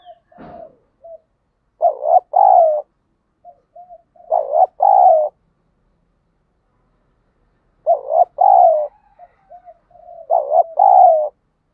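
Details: Spotted dove cooing, played daily in Vietnam to train decoy birds and spur fighting. Phrases of short soft notes lead into two strong rolling coos, repeated every few seconds against a clean, silent background.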